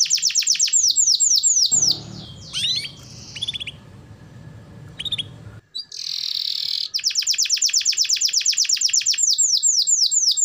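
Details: Canary singing vigorously, meant as a lure for reluctant canaries: rapid trills broken by a noisy stretch with scattered chirps and a buzz, after which the fast trill resumes.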